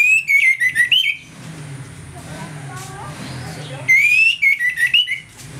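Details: Ringing 'ngeplong' morning song of an orange-headed thrush, a lure to stir aggression; two runs of quick, loud, up-and-down whistled notes with a softer murmur between.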